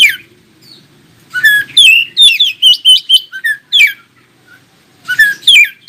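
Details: Oriental magpie-robin song meant to make other magpie-robins reply and sing: opening downslurred whistle, then a fast string of bright whistled and buzzy phrases, a pause, and a final burst of varied notes, faint hum underneath.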